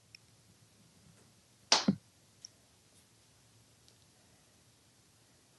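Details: A quiet indoor room with faint low hum, one loud sharp whooshing click and a few small taps, but no animal calls.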